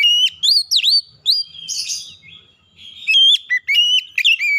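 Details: Oriental magpie-robin song intended to make a stressed untrained bird sing: clear whistled notes with a sharp dip, a short scratchy burst, a softer pause, then quick high repeated whistles and slurs.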